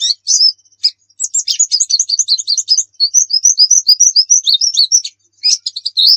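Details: A white-eye sings the rapid 'nembak' style used as a lure: continuous high, bright chattering of quick repeated chirps and short whistled slurs, barely pausing for six seconds on a clean recording.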